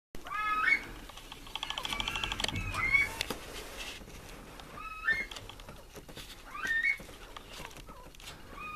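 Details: Impeyan pheasants kept at an aviary, giving short rising whistled calls at irregular intervals, a few seconds apart, over rustling and background noise.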